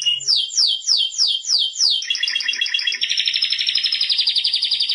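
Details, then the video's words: Singing Timbrado canary: a series of about six slower, descending repeated notes, then a dense, fast rolling trill held steadily to the end. "Canto Canario Timbrado"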